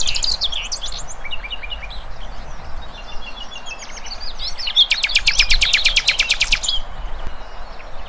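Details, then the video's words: Birds in the wild chorusing with varied high twitters and whistles, then one singer's loud, rapid series of sharp repeated notes lasting about two seconds over a steady background hiss. "Kicauan Burung Cerminkan Suasana Damai"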